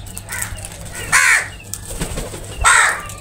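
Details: Crows gathered and feeding together give three harsh, harmonic caws, one soft and two loud, spaced about a second apart, with low rumbling noise beneath.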